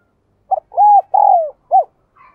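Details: Spotted dove lure bird cooing and calling: one short four-note phrase of mellow, hollow coos, a brief note, then a long smooth note, a falling drawn-out coo and a short closing coo, against a silent background.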